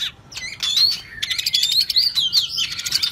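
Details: White-rumped shama (Copsychus malabaricus) singing in the "rít thuốc lào" style, a rich fast run of clear rising and falling whistles mixed with harsh, rasping, drawn-out notes.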